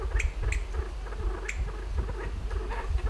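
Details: At dusk in the western Himalaya, a Kalij pheasant ascending its roosting tree gives low trilling notes punctuated by a few sharp, well-spaced clicks, with a faint low rumble underneath.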